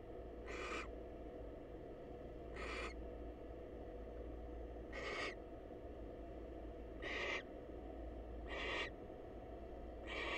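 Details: Wild barn owl at a research-monitored nest box, a female calling on a male to greet him; six rasping, breathy screeches repeated every one to two seconds against constant low background hum.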